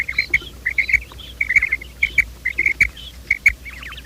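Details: Quail calling sound used as a morning trapping lure: rapid groups of short, clipped, high notes, two or three at a time, repeated about every half second over faint background hiss.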